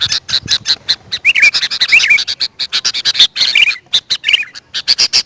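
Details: Sooty-headed bulbul used as a caller for wild birds, giving rapid, scratchy chip notes in quick bursts, mixed with brief, liquid, wavering whistles partway through and a short pause near the end.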